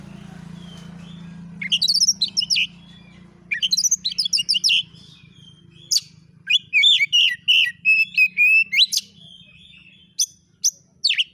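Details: Lure recording of oriental magpie-robin (kacer) 'nembak isian' song, played to provoke responses. Dense groups of high chirps, trills and whistles follow a noisy start with a low hum.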